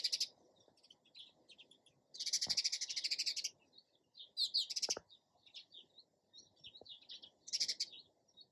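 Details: Sparrow chirping with rapid rattling trills of clipped notes, each burst about a second long, separated by scattered single chips; a couple of low knocks in between.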